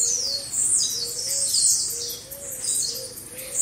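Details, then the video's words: Blue-black grassquits in chorus, recorded for training caged birds. Thin high buzzy slurs run together, over a low rising-and-falling tone repeated about every half second to second. "Baderna de Tiziu Ótima Para Foguear"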